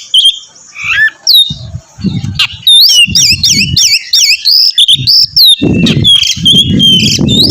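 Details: Oriental magpie-robin in full song, prompting other magpie-robins to sing; loud sweeping whistles and rapid rising-falling looped notes in quick series, with repeated low rumbling thumps in the background.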